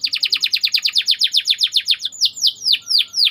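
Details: Rolling song of a white canary used as training bait for other canaries: rapid descending whistled notes repeated about four per second, then slower sweeping downward slurs.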